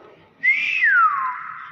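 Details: Common hill myna mimicking speech, the word "bakpao": one loud, bright whistle that holds briefly and then slides smoothly downward, with a man encouraging it nearby.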